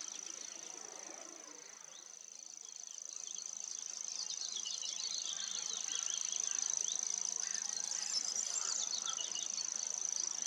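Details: Song of a common grasshopper warbler: a long, sustained, high, insect-like reel of rapid ticks that swells gently in volume. Faint twittering from other birds runs beneath.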